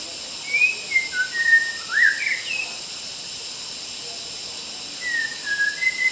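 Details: Wild white-rumped shama singing in a forest in Kalimantan; varied whistled phrases that slide up and down, in a burst then a pause and a shorter burst, under a loud steady insect drone.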